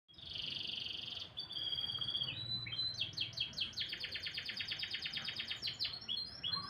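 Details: Canary singing in the morning, melodious: a steady high whistled note, then a shorter one, breaking into a long fast run of repeated downward-sweeping chips, several per second, over faint low background hum.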